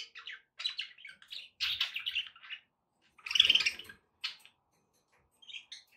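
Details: Pet budgerigars producing a run of quick scratchy chirps and warbled notes, a loud harsh burst midway, then scattered softer tweets.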